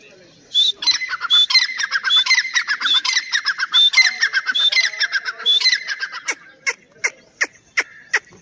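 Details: Grey francolin, Dakni or Irani teetar type: loud, squawking phrases with piercing whistled tops repeated quickly for several seconds, then a series of sharp clicks near the end.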